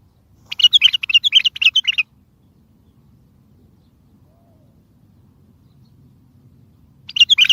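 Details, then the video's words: Bulbul singing, used to make silent birds sing and to call in distant bulbuls for catching: one lively phrase of about eight quick, rising and falling warbled notes, a long pause, then the next phrase beginning. "اصوات بلابل تغريد بلبل قوي ينطق الاخرس كذلك للصيد البلابل الاخرى يجيب البلابل البعيده"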